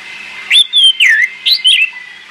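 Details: Orange-headed thrush singing, used as a training song to get silent birds to sing: a quick run of five loud, slurred whistled phrases, some rising and some dipping, over a steady faint high hum.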